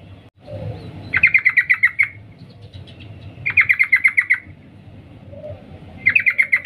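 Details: Female sooty-headed bulbul calling the male with three even runs of about eight rapid 'cuk' notes, spaced roughly two and a half seconds apart, over a low rumbling background.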